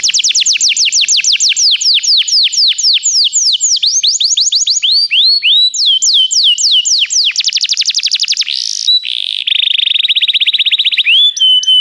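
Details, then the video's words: Song of a canary, meant to encourage a canary to sing: long series of loud downward-sweeping notes at varying speeds, a very rapid buzzy burst, then a lower steady trill and a final whistle. "O som de um canário é eficaz para o seu canário cantar"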